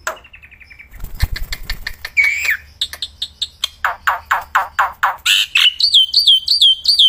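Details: Black-winged myna singing outdoors, loud and nonstop: an opening whistle, a rattle of clicks with low thumps, then a long run of harsh, evenly spaced buzzy notes ending in repeated high, swooping whistles.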